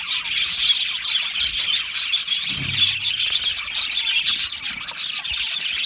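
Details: A colony of Australian budgies singing and chirping happily in an aviary, giving a steady, bright wash of overlapping high chirps and scratchy warbling, with a brief low thump in the middle.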